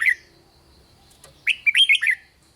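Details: Thai red-whiskered bulbul song used to stir up other bulbuls: a brief note, a pause with soft clicks, then a lively cluster of five liquid whistled notes dropping in pitch.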